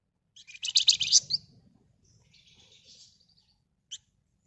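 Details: Red-whiskered bulbul song, a lively dense chattering burst of bright notes followed by softer buzzy trills and a short final note.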